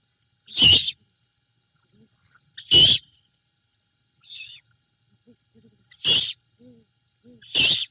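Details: At a nest camera in Savannah on the night of 21 February 2022, a great horned owl female feeds a rat to her owlet. Five hoarse, hissy notes come at uneven intervals, with a fainter short note and soft squeaks between them.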